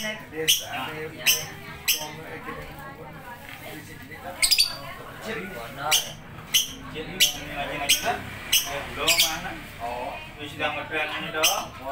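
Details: Lovebird calling with repeated piercing squawks at uneven intervals, mixed with a steady run of wavering, twittering chatter for about twelve seconds.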